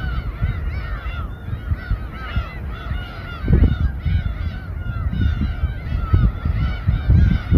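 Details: Many gulls calling together above a sashimi boat at Samgilpo port in Seosan, Korea: dense overlapping squealing arcs, repeated rapidly throughout, with bumps and low rumbling of the boat beneath.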